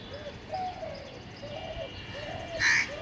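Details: Repeated low coos of a spotted dove in North Kolkata, 10 February 2021, steady and evenly spaced, with one brief, harsher, higher call from another bird breaking in near the end.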